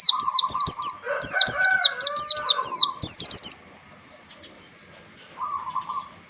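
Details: Oriental white-eye song played as a master recording so young birds learn to sing ngalas: bursts of quick, high down-slurred chirps with lower warbling tones beneath, then a pause and a brief low buzzy phrase.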